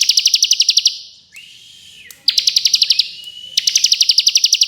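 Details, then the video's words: Bar-winged prinia in fast, dense ngebren song, recorded as tutor material for contest birds: long runs of quick sharp high notes, broken by a drawn-out rising whistle, then further rapid bursts. "Ciblek Kristal Ngebren Nembak Variasi Speed Rapat"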